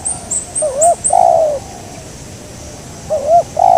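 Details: Wild local spotted dove cooing while being lured during bird trapping. Two phrases, each a quick rising-falling double note followed by a long, slightly descending coo. Faint high chirps from another bird sound near the start.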